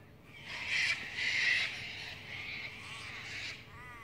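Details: Cockatoo, one of two birds present together with three rosellas and a kookaburra, giving harsh, raspy screeches in two loud bursts over about a second, then quieter rasping and a few faint thin notes near the end.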